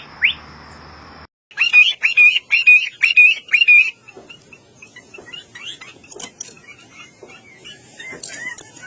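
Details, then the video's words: Bird chirping presented as peaceful morning nature ambience. After a brief noisy opening, a run of sharp, evenly spaced chirps repeats about twice a second. Scattered softer calls follow. "RELAXING BIRD CHIRPING SOUNDS"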